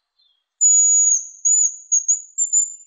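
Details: A hazel grouse, recorded in 2020, gives a very high, thin whistle, one long drawn note followed by several short ones.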